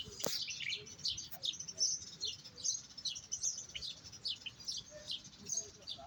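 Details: European goldfinch song during a Moroccan singing session: rapid, twittering high chirps and trills, steadily chattering over a noisy background.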